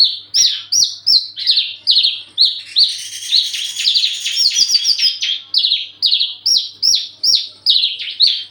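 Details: Courting Javan bush lark in breeding condition gives a steady rapid string of loud high downslurred whistles, over two per second, with a brief buzzy rattle in the middle.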